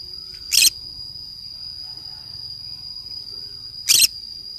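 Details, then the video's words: A lone green-cheeked conure at play in the forest utters two loud, raspy, noisy shrieks roughly three and a half seconds apart, with a continuous whining insect tone behind. "green cheek conure parrot sounds"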